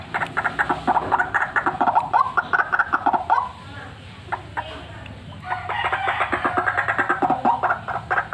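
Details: White-breasted waterhen calling loudly and continuously, a recording intended for use as a lure. Harsh, croaking notes repeat rapidly in dense runs, pause briefly in the middle, then resume as an even, quick series.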